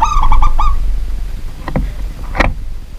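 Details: Local zebra dove singing after dark: a brisk run of four rolling cooing notes, followed by sharp clicks and a knock from the surroundings.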